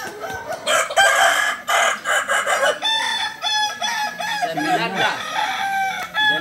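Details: Roosters of the Balenggek breed at a Sunday crowing contest, landiak class, Ampang Kualo in Solok city; pulsing, broken crow phrases in quick succession, with overlapping calls from other birds and background voices.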